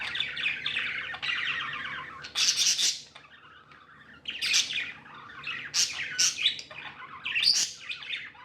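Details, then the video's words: Cheerful budgerigars kept indoors: long run of grating warble, a pause of about a second, then clusters of loud sharp chirps and chatter. "Happy budgies chirping sounds"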